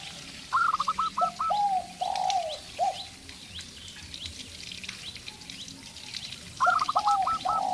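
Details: Local zebra dove calling alongside a spotted dove decoy: two bursts of high stuttering coos, a rising note running into quick repeated notes, mixed with lower sliding coos and a constant background hiss.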